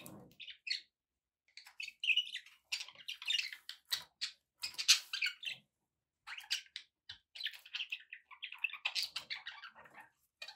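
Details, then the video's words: Several seconds of continuous budgerigar chatter from pet birds, with quick twittering, scratchy buzzes and clicks, a brief pause, then a second run of fast warbling. "relaxing budgie sounds for your birds"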